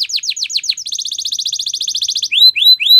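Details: Spanish Timbrado canary training song: about eight fast descending sweeps, a bright rapid trill lasting over a second, then three clear arching whistled notes.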